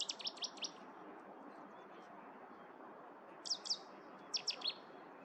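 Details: Cetti's warbler singing at Viersels Gebroekt on 9 March 2023: an explosive burst of sharp, high repeated notes opens, then two more short staccato phrases follow after a pause, over a steady low background hiss.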